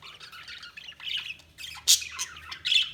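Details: Budgie chatter: rapid scratchy warbling notes rising and falling, punctuated by two loud harsh squawks near the end, several birds calling at once.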